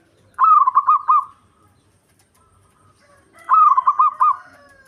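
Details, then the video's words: Two rhythmic cooing phrases roughly three seconds apart from a local zebra dove singing to provoke a rival while in breeding mood; each is a quick run of pulsed, rolling notes with a soft tail. "Perkutut Lokal Ampuh Buat Emosi Lawan"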